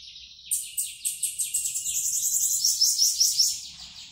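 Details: Bananaquit coming out of moult, singing strongly: a thin, very high buzzy trill of fast repeated pulses, about two and a half per second, running steadily for over three seconds.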